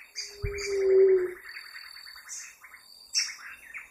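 One low, hollow coo from a Ruddy Quail-Dove, steady then fading, over busy chirping from other small birds and a thin, high insect buzz.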